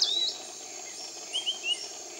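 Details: Piratic flycatcher in tropical rainforest near Iquitos, Peru: a high, thin, slurred whistle, then a quick run of three short rising-falling notes, over a steady insect-like hiss.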